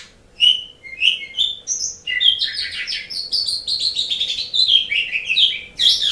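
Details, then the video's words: Song of an Asian pied starling kept as a pet-training model: opening sharp whistles give way to a continuous rich, varied warble of slurred and buzzy notes. "Suara Burung Jalak Suren"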